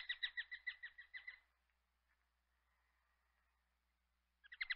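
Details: Common kestrel giving a fast series of about nine sharp, shrill, evenly spaced kee notes over roughly a second and a half. Silence follows, then another burst of the same ringing notes begins at the very end.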